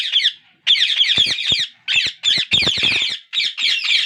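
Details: Parakeet chicks begging for food while their father feeds them, in harsh, rasping squawks packed into rapid bursts, one brief pause early on, then a near-continuous chorus broken by short gaps.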